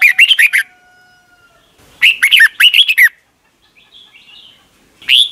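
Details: Red-whiskered bulbul song from Thailand, played each morning for young caged birds to copy. Three quick, loud bursts of five or six warbled, bubbly notes, each under a second and separated by pauses. A faint steady whistle-like tone sounds between them.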